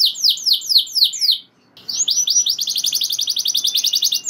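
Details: Singing canary delivering long rolls that excite rival canaries to join in; five slow descending whistled sweeps, a short gap, then a fast even buzzy trill of many repeated notes.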